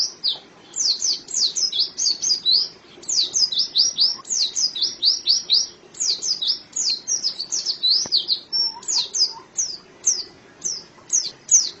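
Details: Long run of white-eye song built from rapid clusters of high, thin, downward-sliding chirps, repeated in bursts with short breaks, plus a soft low hum underneath.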